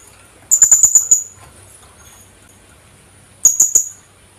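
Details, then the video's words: Philippine hanging parrot (kulasisi), endemic to the Philippines, giving very high, thin squeaky notes in a quick run of five or six, then another short burst of three about three seconds later. "PHILIPPINE HANGING PARROT SOUND | HUNI NG KULASISI"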